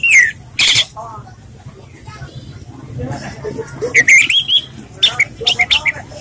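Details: An orange-headed thrush sings relaxed, short, varied phrases of high whistles and sharp chattering notes in bursts with brief pauses, used as a lure recording; a faint low hum runs underneath.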